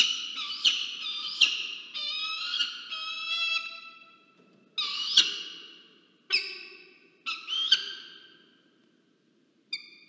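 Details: Peregrine falcons at a research nest site at Charles Sturt University, Orange, New South Wales, Australia, 27 November 2022. They give a series of harsh, squealing, harmonic calls, some drawn out and fading, others short and abrupt, with quiet gaps between them.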